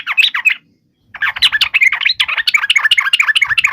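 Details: Yellow-vented bulbul fighting song aimed at provoking other birds to respond: harsh, dense chattering phrases, fast and busy, after a brief opening burst and a half-second gap.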